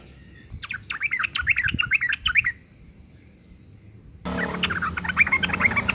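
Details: Sooty-headed bulbul, a female in breeding condition calling males: a fast chattering run of chirps, a brief quiet gap with a thin tone, then another busy chattering burst over louder background noise.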